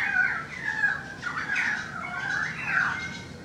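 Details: Currawong song recorded from a balcony: drawn-out fluty whistles bending up and down in pitch, with a brief rougher squawk in the middle.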